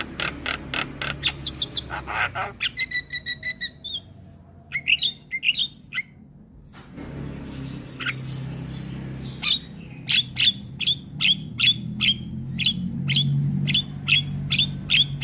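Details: Black-winged myna singing, used as a masteran recording for training young mynas to sing: loud harsh repeated clicks and chatters, a few whistled notes, then a quiet gap and a renewed run of sharp rhythmic calls over low background hum.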